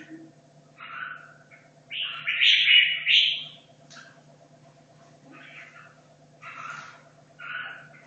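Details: Caged red-whiskered bulbul, kept two and a half years, practising for a singing competition: short warbled phrases, a loud rich burst in the middle, then brief chirpy notes with pauses, over a steady low hum.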